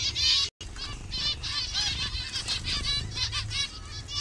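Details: A captive zebra finch colony in Bangladesh, birds of various colour mutations, fills the air with clustered buzzy, nasal calls after a brief cut to silence near the start.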